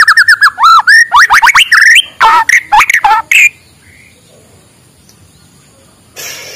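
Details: Morning song of a white-rumped shama, played to prompt lazy birds to sing: a rich burst of looping, rising and falling whistles and quick clipped notes for about three seconds, then near silence and a soft rustle.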